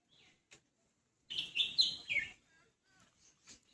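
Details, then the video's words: Birds chirping on a rainy early morning in the Konkan countryside: a dense burst of high, sharp twittering notes lasting about a second, with a few faint isolated chirps before and after in quiet surroundings. "पक्ष्यांची आवाज आहे का बॅकग्राऊंडला."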